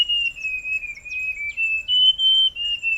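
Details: Forest scrub robin delivering a continuous whistled phrase of linked notes that dip, then jump slightly higher and fall again, with faint soft chirps above and a rhythmic insect tick behind.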